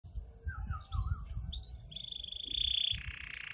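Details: A canary, called a Spanish canary (identified as Belgian canary), sings quick, varied whistled phrases, then a long, fast, metallic trill held on one high pitch, over a low background rumble.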